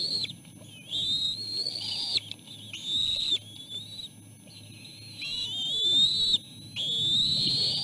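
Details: Three bald eagle nestlings compete for food as their mother feeds them at the nest. Shrill, sustained whistles rise and waver in four long bursts with brief gaps, some slurring upward at the ends, over a steady low hum.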